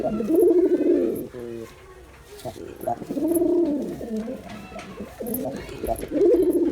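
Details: Performing male Girabaj pigeon cooing: deep, hollow, arched coos repeated at intervals, with quieter murmuring notes and light knocks between them.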